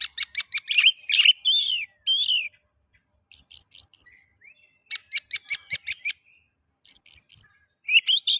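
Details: Oriental magpie-robin (kacer) song used to trigger singing in other magpie-robins: fast runs of scratchy chattering notes and slurred whistles in several bursts separated by short pauses.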